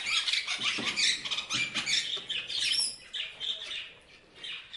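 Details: Parrots chirp rapidly in quick raspy bursts, several birds overlapping, the chatter thinning toward the end.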